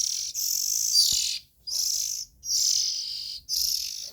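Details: Nestling Oriental magpie-robins calling: a long hissing burst of over a second, then three shorter rasping hisses, all high, noisy and unmusical, with one faint click in between.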